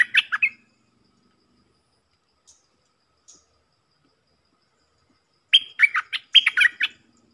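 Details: Stripe-throated bulbul singing its opening phrases. A short tail of chattery notes is followed by silence with two faint ticks, then a fuller burst of bright, jumbled warbling notes near the end.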